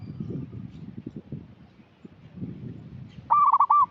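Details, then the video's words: Local zebra dove used as a lure caller; after a stretch of low rumbling background noise, one short rolling burst of hooked coo notes closes the recording. "Perkutut lokal gacor suara cocok untuk pancingan"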